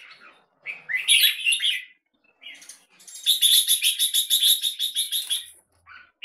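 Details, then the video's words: Caged red-whiskered bulbul kept in Singapore style, singing a long 'terkan' song: bright chirpy phrases, then a fast run of about fifteen evenly repeated high notes over two seconds, ending with short chirps. "JAMBUL สิงคโปร์เลี้ยง นกหัวจุก- LONG TERKAN KEKE JAMBUL"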